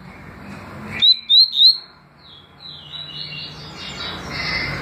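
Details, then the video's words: Double-collared seedeater song in the styles called tui tui and deputado: three loud, clear whistled notes, each sliding upward, delivered in under a second after a quiet noisy start, followed by softer high warbling. "Papa capim tui tui canto e deputado canto"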